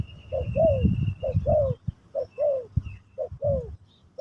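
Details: Spotted dove song in the Pesom/Kacuk style, used to teach a newly kept bird: paired low coos, a short note then a longer falling one, repeated about once a second, with low rumbling background noise.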